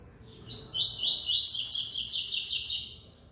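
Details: Captive double-collared seedeater (coleiro) owned by a breeder in São Paulo, Brazil, singing in the 'encarte da 3ª nota' style on December 8: a quick run of high, clear, slurred whistled notes lasting about two and a half seconds, over faint low background noise.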